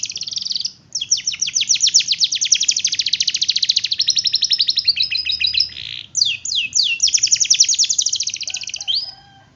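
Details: Long rolling canary song meant to prompt other canaries into singing: a sustained, rapid trill of repeated sweeping notes running for several seconds, broken by one brief pause, then more fast rolls.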